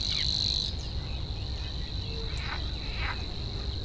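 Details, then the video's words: Savi's warbler in a reedbed, its high continuous buzzing trill loud at first, then softer and sustained, with a couple of rasping croaks in the background. "Savi's warbler (Locustella luscinioides) sings in the reedbed"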